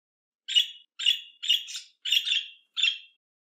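A budgerigar gives five short, scratchy chirps in a quick, evenly spaced series.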